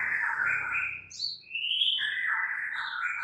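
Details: Murai batu, or white-rumped shama, in a tutor recording: long smooth whistled notes, sliding and held, over a steady low background hiss.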